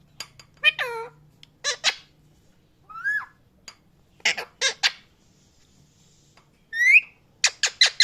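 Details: Parrot giving loud chirps and squawks: harsh broadband bursts and hooked rising-falling notes, scattered irregularly with short silences between calls.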